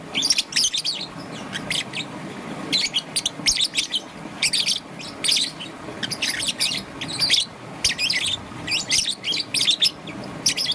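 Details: Young peach-faced lovebird, green and yellow, chirping steadily in the morning: repeated clusters of high, rasping twitters about every second, over a continuous soft hiss.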